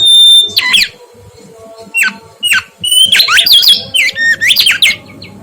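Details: Vigorous mangrove whistler song kept as a tutor recording for cage birds: a thin sustained high whistle, then sharp downward-slurred notes every second or so, building into a fast loud series of twisting whistled phrases with a faint low hum beneath.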